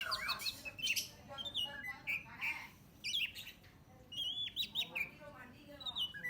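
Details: Orange-headed thrush song used as a lure to provoke birds: varied warbled and whistled phrases, short slurred notes rising and falling in quick bursts with brief pauses, over a low background rumble.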